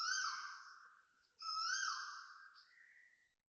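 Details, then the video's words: Koel calling loudly at 7.02am on a Monday, 26 January 2026, beside an apartment block in Toa Payoh, Singapore: two drawn-out, slurred notes, the second swelling then sliding upward, in an otherwise quiet setting. "Loud koel noises"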